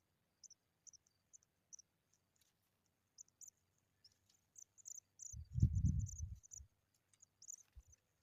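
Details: Pipit taking care of its babies gives thin, very high, short notes at an irregular pace, several each second, with a low thump of handling noise midway.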